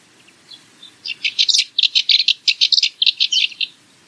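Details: Monotonous rattle song of the Cyprus Warbler: a couple of soft introductory notes, then a quick, even series of dry, scratchy notes running for over two seconds.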